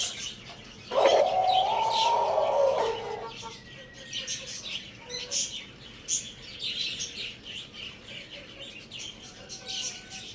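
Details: Lohmann Brown rooster at Lalukhet bird market gives a loud, drawn-out harmonic crow of about two seconds, steady then fading, over constant high chirping from many small caged birds.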